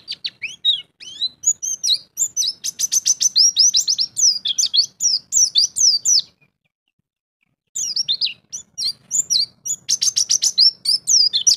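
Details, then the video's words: White-eye (pleci) champion showing off its 'ngalas bongkar isian' repertoire: rapid high warbles and rattling trills in a steady stream, a pause of about a second, then the fast twittering resumes. "Pleci Jawara - Ngalas Bongkar Isian"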